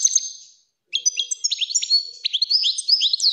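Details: European goldfinch song, offered as a clean, error-free song for tutoring young goldfinches and stimulating females: a fast, bright jumble of liquid twitters, tinkling notes and short buzzy trills, high-pitched and continuous after a brief pause.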